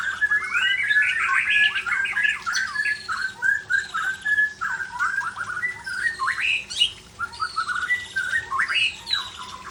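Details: Caged white-rumped shama stamping its tail while pouring out its song repertoire: dense, rapid, varied run of whistles, chattering notes and sharp upward-swept phrases, continuous and loud, in a small indoor room.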